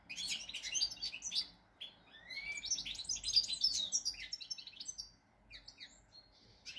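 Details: Pied European goldfinch singing a fast, lively song of tinkling twitters, buzzy notes and a smooth rising whistle, delivered in dense bursts and followed by scattered softer chirps toward the end.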